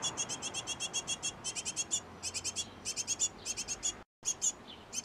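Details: Great tits at a nest box, a pair busy feeding their brood; quick high-pitched chirps come in rhythmic groups of four to six notes, separated by short pauses, with a brief silent gap.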